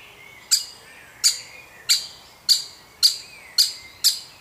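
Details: Baby woodpecker begging while being fed, part of a woodpecker family: seven sharp, high-pitched chirps repeated about every half to two-thirds of a second, fairly steady, over a quiet background.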